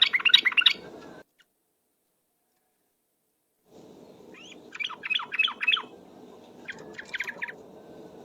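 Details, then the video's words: Lure song of a trucuk (yellow-vented bulbul), ropel style: a short bubbly burst, a long gap, then a rapid series of descending chattering notes with a few sharper chirps, over steady background hum. "suara pikat trucuk ropel"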